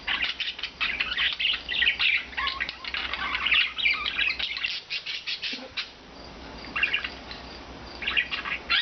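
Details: Flock of four rescued budgerigars, blue, green and two white, flying free indoors through the day: rapid, busy chirping and warbled chatter for the first half, then sparser scattered tweets and squeaks with brief pauses.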